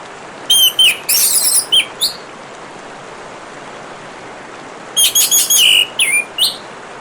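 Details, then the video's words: Orange-headed thrush singing with flowing water throughout: two bursts of mixed whistled notes and dense chattering phrases separated by a three-second pause. "Terapi Kicauan Burung Anis Merah dan suara Gemericik Air"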